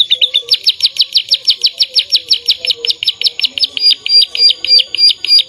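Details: Canary singing gacor, delivering a quick trill of high, crisp notes that changes midway into a slightly different, rounder repeated phrase, all rapid and loud.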